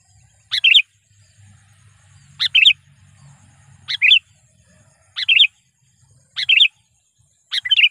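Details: Lure call of a trained sooty-headed bulbul, used to challenge and attract wild bulbuls; six bright two-part chirps, a sharp note dropping into a warbled one, repeated roughly every one and a half seconds.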